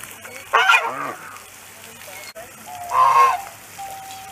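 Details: An African goose, a domestic breed descended from the wild swan goose, honks loudly on a pond: two loud, nasal honks about two and a half seconds apart, the first harsh and wavering, the second a fuller trumpet, over a faint hum.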